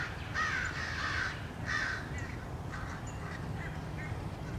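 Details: American crows pursuing a male bald eagle near its nest, March 30, 2016. Loud paired caws at the start, then softer, more distant caws trailing off, all over steady low rumble.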